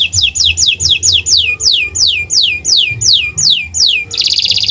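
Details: Canary song meant as a tutor for other songbirds: about ten high whistles sliding sharply downward at a steady pace, then a sudden dense rattling roll. A low hum runs beneath.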